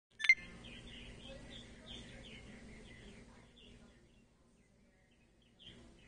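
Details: An after-second-year male purple martin investigating a gourd at 07:30 on 20 February 2012 gives a run of gurgling, chirpy notes for about three seconds after a sharp opening click, over a low background rumble.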